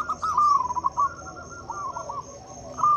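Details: Vocal local zebra dove used as a lure for doves that will not sing: a run of quick, wavering looped coos, a quieter stretch, then a new phrase starting at the end, over faint hum.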